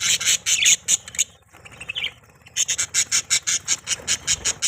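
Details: Pet budgerigar chirping: a run of short, harsh, bright chirps repeated nearly three times a second, a brief softer rising squeak in the middle, then the rapid chirp train resumes.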